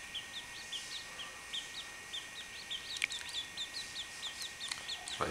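A chachalaca chick gives high, thin peeps, each a quick up-and-down chirp, about three a second. A steady high hum and a few clicks run beneath.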